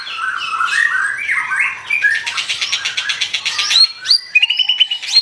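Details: Vigorous white-rumped shama song: varied whistled phrases, then a rapid rattling trill, ending in crisp, separate high whistles with short pauses between them.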